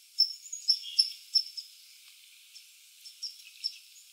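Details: A chickadee at a suet feeder on a late afternoon, 5:01 PM, 2 April 2019, gives thin, high, sharp call notes, about five in the first second and a half, then softer scattered notes; faint background noise.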